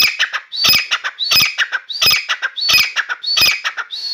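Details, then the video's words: Grey francolin (Dakhni teetar), a newly acquired bird kept indoors in a room, singing continuously: loud, harsh, high-pitched phrases repeated about every 0.7 seconds, each a rising squeal followed by a few choppy notes. "Grey francolin Dakhni Teetar song"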